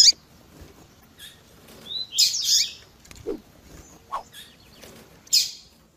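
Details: Double-collared seedeater in tui tui zel zel style with female chirps: scattered sharp high chips, a short buzzy trilled phrase around two seconds, and a few lower clicks.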